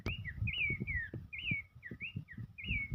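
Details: Horsfield's babbler in full song as it dances, giving loud rich whistles that swoop down and rise again, about three phrases a second, over soft low background thumps.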